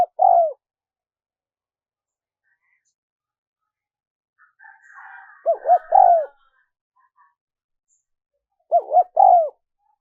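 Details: Spotted dove cooing, a recording used to lure wild doves: low mellow phrases of short arched coos ending in a drawn-out falling coo, heard three times with about four seconds between, plus a faint soft rustle midway.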